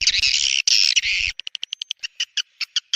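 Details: Swiftlet lure call from Borneo, Kalimantan, played to attract swiftlets: a burst of harsh continuous chatter, then quick evenly spaced short chirps.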